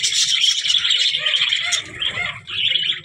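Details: Budgerigar in lively chatter: quick high chirps and trilled squeaks in a continuous stream, with a short dip near the end before resuming, over soft low rustling.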